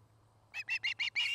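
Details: Osprey calling at a nest in Charlo, Montana, on a nest camera: a short run of five loud, harsh, whistled notes, evenly spaced, the last one longer; faint low hum underneath.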